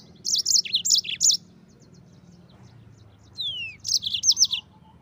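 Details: Singing yellow-fronted canary, played as a tutor for other cage birds: rapid high twittering phrases, a pause with a single falling whistle, then another fast trill-like burst.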